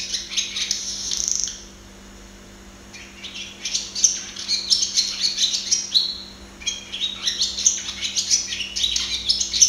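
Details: Barn swallow (Hirundo rustica) perched and singing, watched from nearby: a short twitter, a quiet gap, then a long stream of rapid squeaky chirps, whistles and buzzy rattles, another brief pause and more chatter; constant faint hum.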